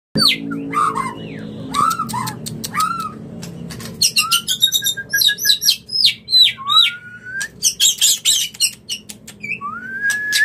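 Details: Male white-rumped shama courting a female, sounds used to provoke other males: a rich, varied stream of whistled slurs, rapid buzzy trills and sharp chips, with clear liquid notes rising and falling, loud and continuous throughout.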